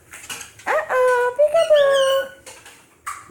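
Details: Male cockatiel imitating human words ("uh-oh", "peek-a-boo") in a high, nasal, voice-like tone, with two drawn-out syllables.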